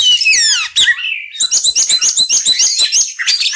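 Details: Oriental magpie-robin giving loud, varied whistled song: sweeping slurred notes at first, then a quick run of bright, repeated chirps at about five per second.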